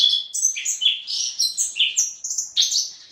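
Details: Orange-headed thrush sings a rich, varied phrase of clear whistled notes, jumping between high and low pitches with quick slurs, about one note per second in loose rhythm, clean and loud with no other sounds.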